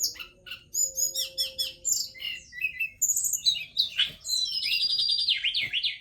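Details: A dancing forktail gives a lively high song of quick chattering chirps and squeaky notes, then longer wavering whistled phrases sweeping up and down, over a faint steady hum.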